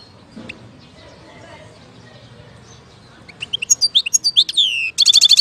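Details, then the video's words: European goldfinch in Algeria, 2019: after quiet background noise, a rising series of clear chirps and a down-slurred whistle, ending in a fast buzzy trill. "اجمل صوت حسون في الجزائر 2019"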